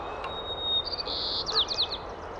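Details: A male sparrow sings one clear, steady whistle, then a stuttered buzz broken into short pulses, a local dialect trait, and ends with a quick run of slurred chips, over faint background hiss.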